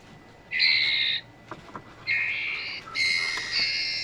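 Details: Male and female trotol birds calling: loud, harsh, buzzy notes held about half a second each, three drawn-out bursts with short gaps and a few faint clicks between.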